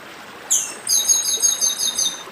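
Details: Song of a northeastern Brazilian chestnut-bellied seed finch: one sliding high note followed by about eight quick, evenly spaced ringing downslurred notes, with running stream water hissing underneath.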